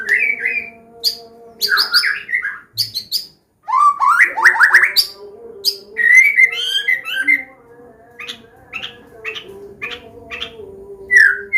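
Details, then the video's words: Medan white-rumped shama giving a varied combination song meant to tutor young learning birds and prompt them to sing: bent whistles, rapid slurred runs and sharp clipped notes, with a constant faint hum beneath. "SUARA KOMBINASI MURAI BATU"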